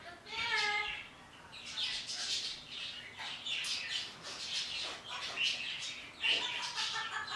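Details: A pet parrot chatters to outdoor birds in the morning, opening with a short tonal, voice-like phrase, then a run of harsh, hissy squawks and chirps with brief tonal squeaks near the end.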